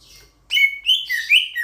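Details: Loud Sulawesi myna, a starling of Sulawesi. After a brief quiet moment, it delivers a burst of four harsh, ringing, slurred notes that rise and fall, run close together, and are strongly accented.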